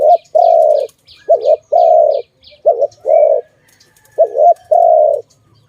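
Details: Rhythmic dove cooing in a bird-trapping setting: four phrases, each a quick bubbling double note leading into a long, smooth, low coo. A series of faint high chirps from other birds is heard at the start.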